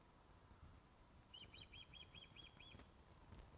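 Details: Osprey at the Loch of the Lowes nest during a fish delivery, webcam recording from 21 August 2012 at 16.35: a short burst of seven quick, high whistled notes set against steady hissing background noise.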